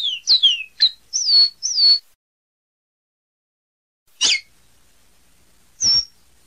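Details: Caboclinho seedeater opens with about two seconds of quick falling and level high whistles, then pauses before two lone sharp high notes spaced well apart.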